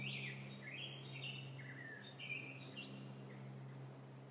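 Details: High, downward-slurred peeps from several wild turkey chicks, Sierra foothills, California, overlapping quickly, with some lower drawn-out whistles and a steady low hum behind.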